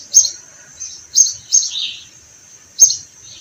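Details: Spring sparrows near blooming orange trees: a short sequence of sharp high chirps, one followed by a downward-sliding note, then a pause before a last chirp, over a thin high hiss.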